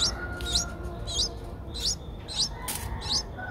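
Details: Eight-day-old Streak-eared Bulbul nestlings in Ubon Ratchathani, Thailand, recorded 10 April 2023, a day after their eyes opened; thin high upslurred chirps come at uneven intervals, with one sharp click among them.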